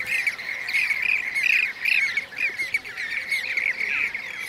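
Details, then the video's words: Blue-cheeked bee-eaters in Şanlıurfa, Turkey, in 2016, calling with loud, rolling, burry notes given in quick succession, roughly two per second, over a softer chorus of more birds. "Yeşil arıkuşu (Blue-cheeked Bee-eater)"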